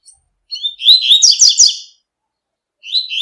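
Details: Tui-tui style coleiro, the double-collared seedeater, singing in the wild: a brisk phrase of high twittered and whistled notes rising and falling quickly for over a second, followed by a quiet gap and a fresh phrase.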